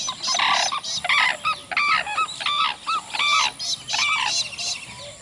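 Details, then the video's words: Sarus crane courtship display calls, recorded close with other birds in the distance: loud, ringing trumpeted notes with strong harmonics, given in quick uneven bursts of about ten calls over five seconds. "Sarus Crane. Courtship Display Calls CU - Distant."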